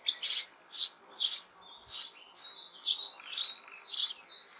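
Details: In May, sparrow chicks inside an old apple tree hollow beg their parents for food, giving loud raspy high chirps in a steady series roughly twice a second, with short thin whistled notes between bursts.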